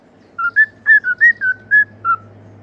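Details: Cockatiel singing, a pet bird whistling a tune meant for teaching other cockatiels: eight clear, pure whistled notes alternating between lower and slightly higher pitches, evenly spaced over about two seconds, over a faint steady hum.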